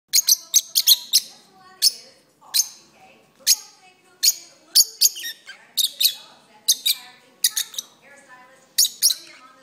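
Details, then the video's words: Pet lovebirds singing indoors during a long session while perched on an arm: sharp, bright chirps and squeaky notes in uneven bursts, some rapid clusters, with quieter low chattering between. "my Lovebirds are singing"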